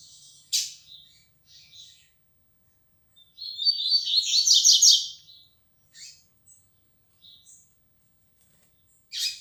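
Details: Double-collared seedeater (coleiro), a tournament bird of the 'flecha negra' line, beginning to sing more firmly; scattered high buzzy notes, then a loud rapid trilled phrase of fast repeated notes near the middle, with sharp isolated chips at the start and end.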